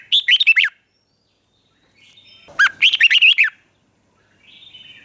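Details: Southern master-style song of a caged red-whiskered bulbul from Thailand, played to excite other bulbuls. Two bubbly phrases of rapid, looping whistled notes are heard, about two seconds apart, with a faint chatter afterward.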